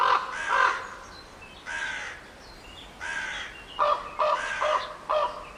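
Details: Harsh crow caws, first several longer, hoarse calls spaced about a second apart, then a quicker run of four short clipped caws; faint thin chirps of other birds in the background.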